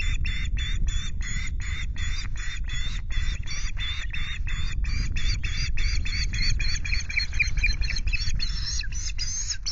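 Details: Osprey at the Loch Garten nest, Scotland, with chicks on 5 July; long, steady train of clipped, shrill chirps, roughly three a second, over strong wind rumble.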